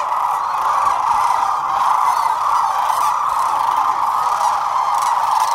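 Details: Sandhill cranes in a huge flock of roughly 12,000 at Whitewater Draw, February 19, 2021, producing a loud, sustained mass of overlapping rattled bugling calls that never breaks.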